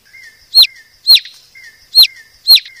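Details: White-rumped shama of the Medan type, a master recording used to train caged birds: four sharp downward-sweeping notes about every half second, with a soft level whistle running between them.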